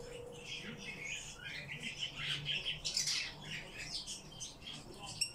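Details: Several captive Eurasian bullfinches give soft, mid-pitched piping whistles and quiet twittering notes, overlapping irregularly, with a faint low hum underneath.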